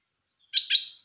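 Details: Caged red-whiskered bulbul uttering one loud, clear chirp of two joined notes, the second sliding and trailing off, in an otherwise silent setting.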